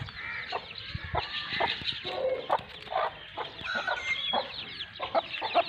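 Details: Sindhi Aseel hen and her two-month-old chicks, Pakistan. Irregular soft clucks mingle with scattered high chirps and peeps, and a few short whistled notes stand out.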